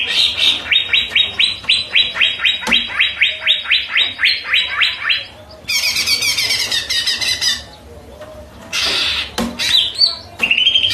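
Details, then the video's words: Greater green leafbird (cucak ijo) repeating a sharp downslurred note about four times a second for five seconds, then breaking into bursts of harsh, scratchy high chatter and squeaks. "Dijamin Cucak ijo anda pasti ikut bunyi"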